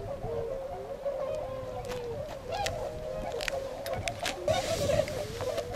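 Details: A flock of wintering tundra swans at Otakara-da pond in Azumino, Nagano, Japan, February 2013, moving off to feed in rice paddies. Low, continuous honking murmurs, with clicks and a burst of rustling noise.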